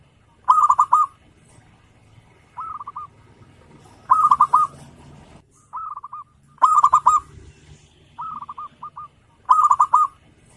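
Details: Zebra dove of local stock singing boldly to provoke rival birds. Four rolling phrases of quick, throaty coos, each answered by a briefer trilled coo, repeat at steady intervals of roughly two and a half seconds over a soft background rumble.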